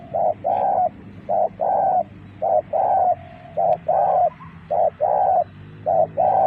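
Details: Spotted dove used as a lure, calling in repeated coos: a short note then a longer throaty phrase, pairs repeating roughly once per second, with a low background hum throughout.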